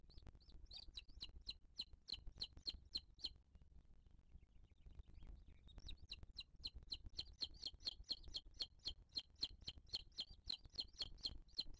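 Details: Booted eagle at the nest in 2023 while the mother feeds her chick: long trains of sharp, high whistled notes, roughly four a second, a short quieter pause near the middle, then a steady insistent run to the end.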